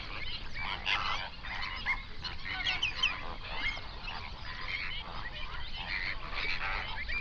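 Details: Flamingo flock on a South African lake in the Overberg, recorded binaurally at dawn; dense overlapping honks and chatter, with louder clusters around one, three and six seconds.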